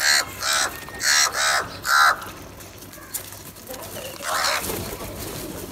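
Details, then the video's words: Crows fighting and calling for food give four harsh caws in quick succession over two seconds, then quieter background noise and one softer, drawn-out caw near the end. "Crow Fight and Sounds | Best HD Crow Video | Crow are Crowing For Food"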